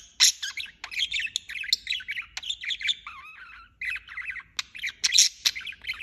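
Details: Budgerigar chirping constantly: bright warbles, a few wavering whistled notes, and sharp loud clicks near the start and end.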